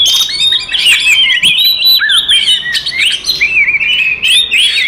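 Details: Clear, melodious yet aggressive fighting song of an Oriental magpie-robin used to provoke rivals, a fast chain of warbled whistles wavering up and down, punctuated by sharp high chips.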